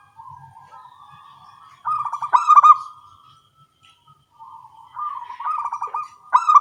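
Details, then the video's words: Local zebra doves trading phrases in the morning: low steady purring builds into loud, rapid, knocking coo sequences, repeated twice, with quieter answering notes in between. "Perkutut lokal suara kecil gacor pagi hari bersahutan"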